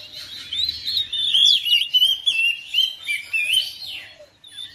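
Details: Oriental magpie-robin at home, responding to another bird within seconds with a bright, continuous warble of sliding whistles and quick chirps, about three notes per second.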